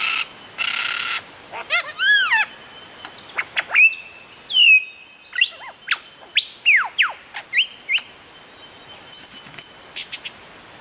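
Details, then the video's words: Lyrebird song of mimicked sounds, given to attract females: a varied medley of noisy bursts, rising and falling whistled sweeps, a sustained mid-pitched whistle, and sharp descending notes in quick succession, ending in a high rapid twitter. "Lir Kuşu / Taklitçi Kuş / Lyre Bird / Mimetic Bird"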